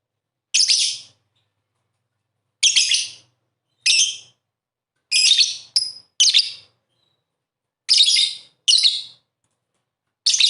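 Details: Lovebird sounds used as a lure to prompt lovebirds that are reluctant to sing. About eight short, harsh, high chattering bursts, each under a second, come at irregular gaps with silence between them.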